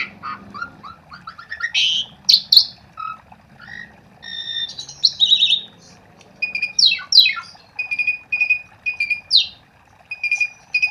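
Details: Singing Asian pied starling used to provoke song from quiet starlings: a rambling mix of chatters, whistled sweeps and harsh squawks, ending in evenly repeated sharp notes.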